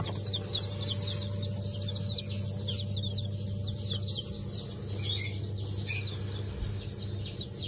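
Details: Freshly hatched Brahma and Wyandotte chicks from 4 August 2024 giving high, sliding peeps, some louder single cheeps standing out every half second or so, over a steady low hum.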